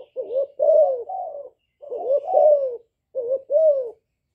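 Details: Hạp bổi-style calling of a young spotted dove, used as a decoy to excite wild birds; three low phrases of a wavering short coo followed by a longer falling coo, closely spaced.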